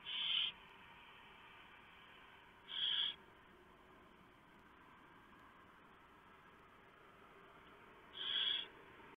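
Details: Barn owls at a nest at 3:59 AM on 3 November 2015, during a prey delivery of a huge mouse that the female shreds for the owlets. Three harsh, breathy hissing screeches, the last two about five seconds apart, over a steady hum.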